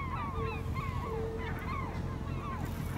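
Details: Steller's eiders at Vardø, Norway, on 5 April 2017, on a windless day: a few arched, nasal calls rising then falling, spaced through three seconds over a low rumble of surf and a faint steady hum.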